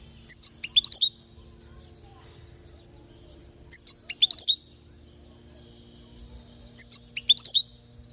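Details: European goldfinch from Palestine singing a training phrase meant to teach young goldfinches: a short, bright, twittering burst of high chirps and slurred notes, repeated three times about every three seconds over a faint low steady hum.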